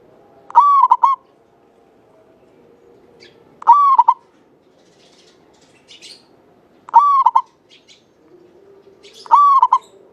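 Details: Local Javanese zebra dove with a long, clear, lively song: four phrases spaced about three seconds apart, each a long smooth coo ending in two short notes; faint high chirps from other birds are heard between.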